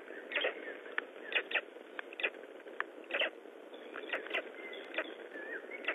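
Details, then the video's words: Unhatched black stork chicks in Estonia, May 19 2012, voicing from within the eggs as the first egg begins to crack; many short squeaky peeps and clicks come irregularly, with a few thin whistled notes, over constant background hiss. "Estonian Black Storks - Talking eggs"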